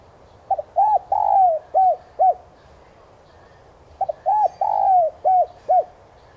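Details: Decoy cooing of a spotted dove meant to excite newly trapped doves into calling: two repeated phrases, each opening with a brief stutter, rising to a long drawn falling coo and ending with two short bowed notes.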